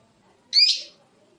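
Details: Lovebird uttering a single brief, harsh high chirp, a short squeaky burst against a quiet background.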